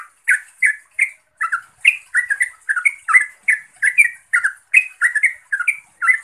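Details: Yellow-vented bulbul calling to a rival or companion: a steady series of short, bubbly, chirping notes, each rising or falling and given about twice a second, with thin high ticks above them.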